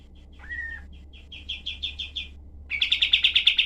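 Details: Cream-vented bulbul in a tutor recording for other songbirds, with dense, sharp rapid-fire notes in a harsh style. A brief whistled slur opens, then a run of clipped high chirps that stops and resumes louder, about three per second.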